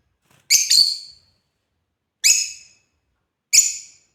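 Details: A doubled shrill chirp from playing African lovebirds, then two single sharp, high, descending calls spaced over a second apart, in a quiet setting.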